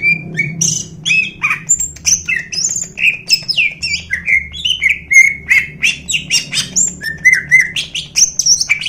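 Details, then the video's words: A competition Greater green leafbird pours out a rapid, nonstop medley of sharp chirps, slurred whistles and buzzy notes, some swooping up and down, over a faint low hum. "cucak ijogacor full isian"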